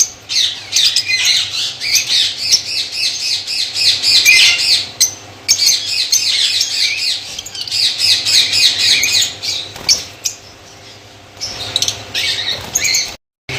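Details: Pakistan colony of white lovebirds chattering: rapid, busy high-pitched twittering and squawking from many birds, almost continuous and loud, with quick repeated notes, fading toward the end.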